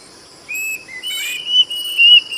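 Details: A few sustained high whistles from a plaintive cuckoo, the last two louder and slightly rising, over a hissing burst and a constant insect whine.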